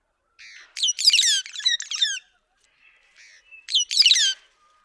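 White-headed buffalo weaver giving two bursts of harsh, chattering squawks mixed with squeaky notes, each lasting about a second and a half; no other sounds stand out.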